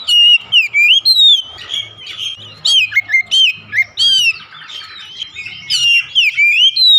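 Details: Oriental magpie-robin, a kept house bird, song used as therapy to prompt a reluctant bird to sing: dense run of varied whistled notes, rising and falling slurs mixed with sharp chirps, almost continuous with short gaps.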